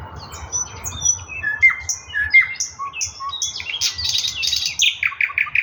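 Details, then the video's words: Thrush nightingale singing a varied phrase of clear whistles, some sliding up and some sliding down. The phrase ends in buzzy, rasping notes and repeated short chips. A low hum runs underneath. "Nightingale singing Russian соловей восточный"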